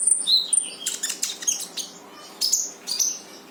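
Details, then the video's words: Brown-throated sunbird in lively 'gacor full tembakan' song, used to prompt a quiet bird to sing: dense bursts of sharp, very high chirps and thin whistled notes, packed closely at first, then spaced in quick clusters. "KONIN GACOR FULL TEMBAKAN"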